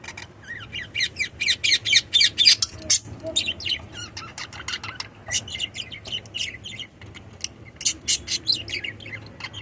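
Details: Pet lovebirds in India chattering continuously with shrill, scratchy chirps and squeaks in rapid irregular bursts, several birds overlapping, with loud peaks early and again toward the end.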